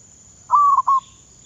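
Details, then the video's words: Single coo phrase from a Thai zebra dove trained as a decoy: a sustained tone that stutters into two or three quick beats and fades, with a faint high whine in the background. "ฝึกซ้อมนกต่อเขาชวา เพื่อนไทยและมาเลเซีย รับฟังเสียง"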